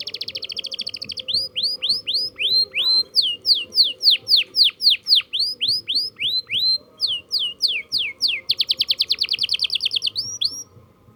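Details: Canary learning to roll: a fast trill, then a long chain of sharply falling whistled notes about three per second, interrupted by brief squawks, ending in a dense rapid trill and more sweeping notes.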